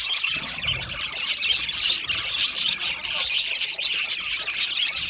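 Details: Pet budgerigars chattering: a nonstop flow of sharp chirps, squawky notes and brief rising whistles, several birds calling over one another at once.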